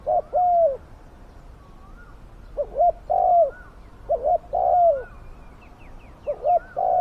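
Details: Spotted dove used to lure wild doves, its voice big and fierce: clusters of quick coos ending in long, descending croons, with faint higher chirps from other birds.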